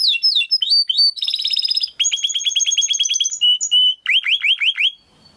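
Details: Timbrado canary song for training, densely varied: quick falling whistled notes, a dense rattling roll, a long steady metallic trill, short tones and a run of rising-falling swoops before fading out.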